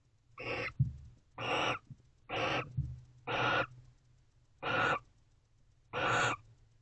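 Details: Pair of wild barn owls in a nest box expressing affection near midnight, 11:57 pm on 19 November 2023; six harsh, broadband rasping hisses, each about a third of a second, repeated roughly once per second over a low steady hum.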